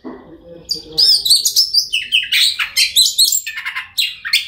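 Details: Oriental magpie-robin song, played to get silent magpie-robins singing: after a quiet low start, a rapid run of varied high whistles, sharp chips and buzzy notes, loud and closely spaced.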